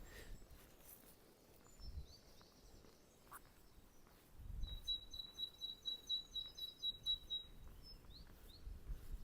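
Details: Great tit song on an early-morning spring walk, 19 April 2024, in the Undercliff, St Lawrence, Isle of Wight, on a breezy day: a fast run of high, ringing repeated notes for about three seconds, with wind rumble and faint chirps.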